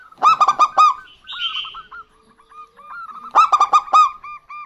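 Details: Local zebra dove pair, female and male, answering each other. A quick burst of five bright coos, a short buzzy note, scattered soft hooked coos, then a second rapid burst with trailing notes.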